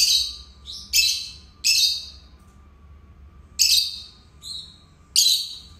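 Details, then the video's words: A pair of pet lovebirds utters loud, harsh, high squeaks in separate bursts, two quick ones, a pause of nearly two seconds, then more piercing chirps and a thinner tweet. "Canto dos Agapórnis"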